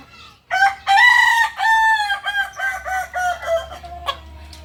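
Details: Solok, West Sumatra singing chicken, the Kukuak balenggek, crows in a long multi-part sequence: a loud opening note, then a chain of shorter stepped syllables fading over about three seconds, ending with a brief final note.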